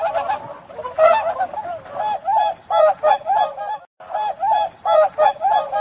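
A swan gives loud, nasal honking calls in quick bursts, about a dozen over six seconds with one short pause; nothing else is heard.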